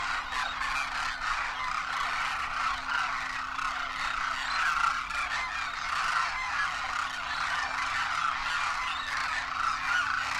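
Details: A vast flock of Demoiselle Cranes, adults with first-year juveniles, trumpeting in flight during the Indian winter in Rajasthan; loud overlapping calls blend into a dense, even din that swells slightly mid-way.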